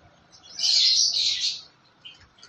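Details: A single drawn-out, buzzy, high-pitched chirping phrase from a yellow lovebird lasting about a second, followed by a couple of faint short peeps.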